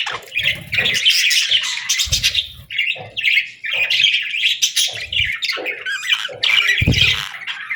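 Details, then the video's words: Budgie chatter in the afternoon: a rapid mix of whistles, chirps and squawky notes in bursts, with a few soft low thumps between phrases. "Budgie Afternoon Whistles"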